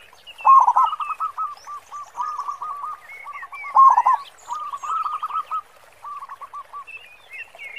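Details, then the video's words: Zebra dove of a local Indonesian strain, singing often in big 'khong' voice as a lure: repeated rolling coo phrases, each loud start trailing into softer quick notes, with twittering songbirds higher up. "Perkutut Lokal Gacor Suara Khong besar Cocok Buat Pancingan"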